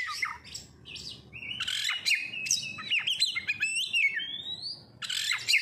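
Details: Lure song of an oriental magpie-robin: scratchy bursts, then a long run of bending whistles and quick slurred flourishes, ending in a loud harsh burst.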